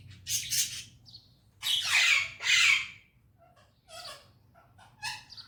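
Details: Talking parrot in a happy mood, said to speak Urdu and Hindi, utters harsh scratchy calls: a short double squawk, two long loud rasping bursts, then softer chattering notes.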